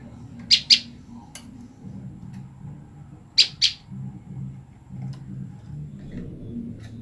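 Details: Separated female olive-backed tailorbird calling its mate: two quick pairs of sharp, high, emphatic chips about three seconds apart, with low murmuring noise behind.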